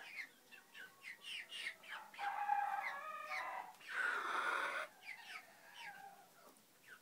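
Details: A one-year-old black Silkie hen gives quick, rhythmic clucks about four a second, broken by two drawn-out, harsh squawking notes before the clucking resumes.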